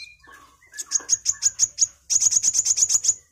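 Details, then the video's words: ['Sunbird song, used as a tutor recording for oriental magpie-robins. A fast series of sharp, very high ticking notes, about eight per second, breaks off briefly and then resumes in a tighter burst. Softer lower chirps come before it.'] "MASTERAN KOWUL GACOR || KOLIBRI WULUNG, KOLIBRI WAYANG"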